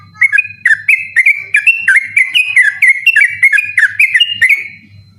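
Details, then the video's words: Sooty-headed bulbul in persistent night song, used as a model recording for training other birds; continuous chain of short, fluty whistled notes alternating up and down in quick succession, over a faint low hum. "burung trucukan ropel ngotot dimalam hari"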